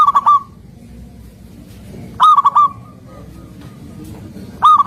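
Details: Local zebra dove (perkutut lokal) singing vigorously in a trapping setting: three short bursts of four or five staccato, mid-pitched cooing notes, each burst ending in a brief trailing tone, separated by quiet gaps of about two seconds over low background rumble.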